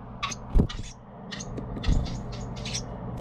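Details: Baby Carolina wren being fed by parents: dense clusters of scratchy high begging bursts, with two soft thumps and a steady low hum beneath.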